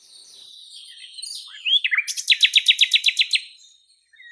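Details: Nightingale singing from a flowering cherry tree in Russia: a faint high twittering, then a rising slurred note and a rapid series of about twelve loud, evenly spaced pulsed notes delivered at a fast clip.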